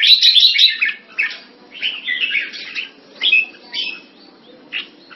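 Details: Red-whiskered bulbul, a jambul kept as a hobby bird, opens with a loud rapid chattering burst, then slower scattered whistled and warbled notes with gaps between them.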